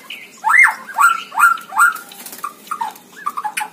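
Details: White-rumped shama in a hanging cage, singing actively for a tutor recording: four loud arched whistles, each rising and then dropping, about half a second apart, followed by softer short whistled notes.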